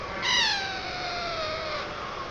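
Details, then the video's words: A parrot gives one long, nasal, meow-like call that starts strong and slides slowly lower over about a second and a half; no other sounds are heard. "Parrot Natural Sounds - Parrot Talking"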